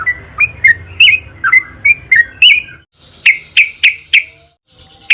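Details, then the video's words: Yellow-vented bulbul (trucukan) singing vigorously, used as a lure to make others sing: a string of slurred whistled chirps, then four loud, sharp chirps about a third of a second apart. "burung trucukan gacor FULL NARUNG buat PANCINGAN TRUCUKAN AGAR BUNYI"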